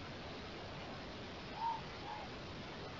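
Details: A morepork recorded by an automated Cacophony bird monitor gives a single soft, hollow hoot, with a fainter second note just after, over steady background hiss.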